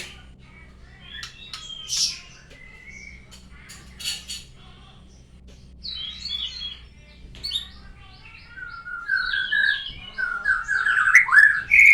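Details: White-rumped shama practising new sounds after its moult gives scattered clicks and short notes, then builds into a louder run of warbled whistles near the end, over a low background hum.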